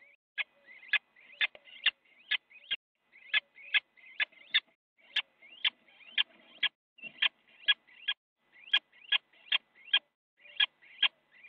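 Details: Little owls fighting in a nest box in the Netherlands, 8 January 2017 at 8:42, one biting the other: a rapid run of short, shrill rising squeaks, about two per second, each ending in a sharp click, muffled.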